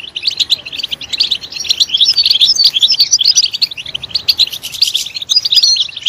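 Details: European goldfinch in loud, lively song: tumbling high twitters, bright liquid trills and scratchy buzzes, strung together without pause and briefly dipping before rising again.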